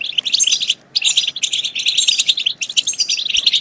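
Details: European goldfinch song used to rouse goldfinches to sing and mate. Busy bursts of rapid twittering and buzzy trills are split by two brief silent gaps.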